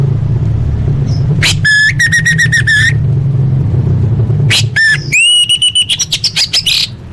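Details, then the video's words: Orange-headed thrush song used as a lure to get caged birds singing: loud ringing notes with rapid stuttering trills in two bursts, bright rising whistled phrases, a steady low rumbling hum throughout. "Pancingan Anis Merah Paling Efektif: Meningkatkan Gacor & Kualitas Suara Burung!"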